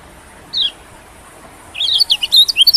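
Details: Lure call of a white-eye, used to draw in small birds: one brief high chirp, a silence of about a second, then a quick string of sharp, high twittering notes growing louder.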